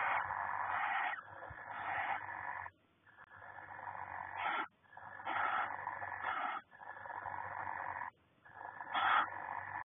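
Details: Barn owls in a nest box in February 2020, with the male bringing freshly caught voles to the female in courtship before laying. Long harsh hissing screeches of about two seconds each, repeated after short gaps, with brief rasping notes between them.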